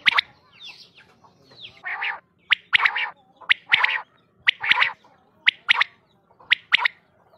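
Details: Quail calls used for hunting, from a Mianwali cassette: alternating buzzy, rasping bursts and sharp, high, whip-like notes in an irregular run of about one per second.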